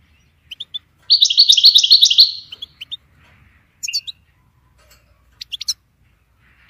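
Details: European goldfinch song for songbird training: scattered high tinkling chirps around a single rapid trilled phrase of over a second, followed by sparse separate notes.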